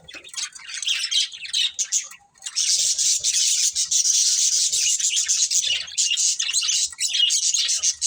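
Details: Pet budgerigars, a breeding pair, producing a steady raspy high warble, nearly unbroken after a brief pause near the start.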